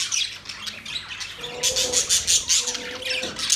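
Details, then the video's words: Budgerigars chirping in a rapid, scratchy chatter of bright high chirps and short squawks, bursts packed closely together with a brief low steady tone underneath. "Beautiful parrot sound | budgies relaxing sound"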